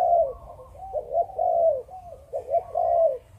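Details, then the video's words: Spotted dove of Malaysian breeding line, clean chụp chụp ô cooing: soft lead-in notes, a clipped pair, then a long mellow coo, the phrase given twice with little background sound. "Chim Cu Gáy | Chụp Chụp Ô | Cu Malaysia Sinh Sản"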